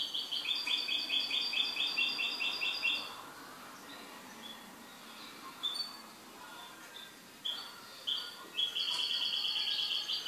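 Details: A goldfinch kept at home sings a rapid, pulsing high trill for about three seconds, then scattered chirps, then resumes the quick repeated trilling toward the end.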